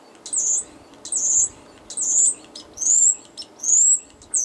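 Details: Wild female European starling on 3/21/13, a long-time regular visitor that comes alone many times a day, "talking" happily: high, harsh, slightly rising half-second calls, repeated about every second.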